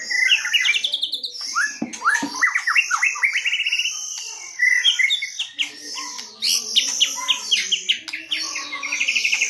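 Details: White-rumped shama lure song, 2022: loud bursts of fast slurred whistles and chattering trills, varied in pitch and tempo, with brief pauses between phrases.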